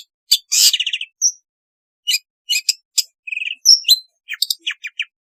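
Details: Long-tailed shrike sound used to get a lazy bird singing: a rattling trill, bright whistled notes sliding up and down, and sharp separate chips with short pauses between phrases.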